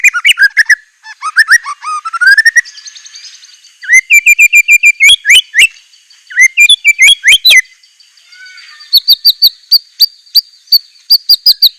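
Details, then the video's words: White-rumped shama (murai batu) singing 'isian mewah': descending whistled phrases, stuttering bursts of bright notes, then evenly spaced sharp high chips about twice a second. "ISIAN MEWAH MURAI BATU_PALING TOP SUARA SANGAR"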